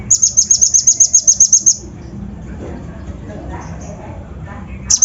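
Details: Kolibri ninja lure song for provoking other birds: a long, rapid string of about thirteen piercing high chirps, then near silence, and one more burst starting at the end.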